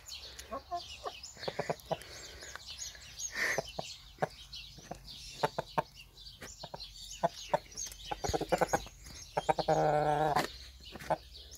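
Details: Rooster being deliberately annoyed, giving scattered short clucks and sharp clicking sounds at an irregular pace, then a brief, nasal, harmonic drawn-out call near the end, with faint rustling in the background.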